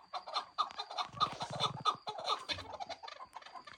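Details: Young chukar partridges calling: a busy run of short, harsh clucking notes repeated rapidly and unevenly, with a steady thin background tone and some low rumbling.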